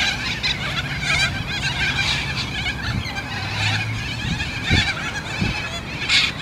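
A flock of corellas keeps up a constant harsh, rasping screeching, with a low traffic rumble underneath.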